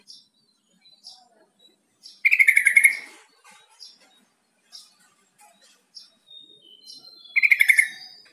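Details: Yellow-vented bulbul call, played to lure a quiet captive bulbul into answering and singing more: two loud bursts of quick, bubbly chattering notes, with soft high chirps scattered in between.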